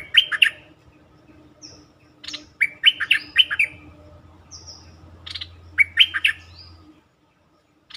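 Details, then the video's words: Bulbul song for luring, played to make birds excited: three rich, liquid, warbled phrases a few seconds apart, each with quick slurred notes, and thin high whistles and a soft low hum in between. "เสียงนกดอกแตงEp.147 เปิดให้นกคึก เพลงดีสำนวนน่าฟัง Suara pikat merbah lekir"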